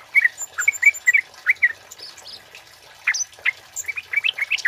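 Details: Male kemade song intended as a lure and tutor recording; bursts of sharp, high chirps and short whistles separated by brief pauses, with a faint thin whistle in the background.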